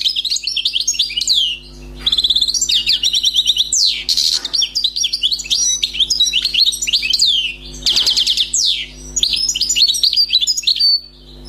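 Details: Wild-caught European goldfinch, newly trapped, gives an extended, nearly unbroken song of rapid twittering, tinkling trills and harsher buzzy bursts, with brief pauses. A steady low hum runs throughout.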